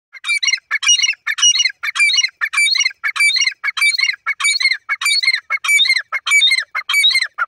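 A francolin calls in loud, harsh, squawking bursts, repeated steadily about every three-quarters of a second with little pause between them.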